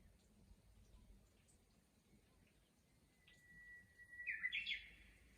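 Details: Japanese bush warbler singing in a countryside chorus, heard faintly: a long, steady whistled note followed by a quick, rising, warbled flourish near the end, over a soft background hiss.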